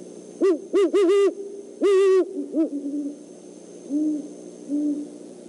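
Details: Great horned owl pair, both male and female, visiting the Decorah eagle nest overnight, 17 December 2014; a burst of loud stuttering hoots and one long hoot, then several quieter, lower hoots trailing off.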